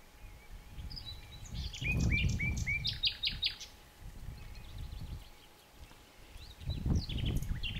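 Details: Common nightingale singing, a bird of bushes and dense damp woods, in Greece or abroad: a burst of repeated short notes and clicks near the two-second mark, then faint phrases later, over low rumbling wind.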